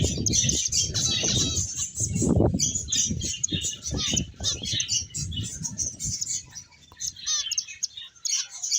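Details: Finches twitter in a crowded chorus of bright, rapid chirps, mixed with frequent wing flutters and low knocking sounds from birds moving about.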